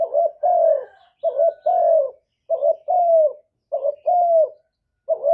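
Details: Provoking coo of a spotted dove, said to make other doves respond straight away. A rhythmic run of paired hoots, short then long and gently falling, repeated evenly about every second.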